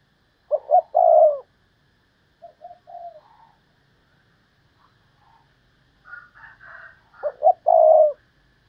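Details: Spotted dove used as a decoy, giving thúc lợi cốt calls: a three-part coo of two brief notes and a longer held note opening and closing the recording, with soft scattered chirps in between.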